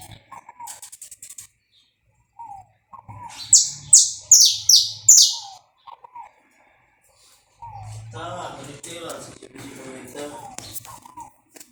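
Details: Saffron finch recorded live without cuts to warm up a bird: scattered soft whistles, then five loud, high, descending buzzy notes in quick rhythm, more soft whistles, and later a busy stretch of mixed chatter over a low hum.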